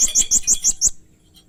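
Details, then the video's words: Blue-crowned hanging parrot producing strange, fierce 'main singa' sounds: six quick, very high, harsh chips in an even rhythm, then sudden quiet. "Burung Serindit Main Singa keluar kan suara aneh dan ganas"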